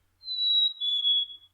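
A Black-capped Chickadee whistles its clear two-note fee-bee song, a higher steady note dropping to a slightly lower one, about one and a quarter seconds long.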